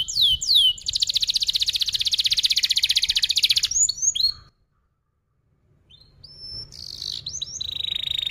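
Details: Long rolling canary song, recorded as a training lure for young birds learning to sing: opening swoops, then a dense, even, buzzy trill held about three seconds, a short pause, and renewed whistled phrases and a buzzy trill.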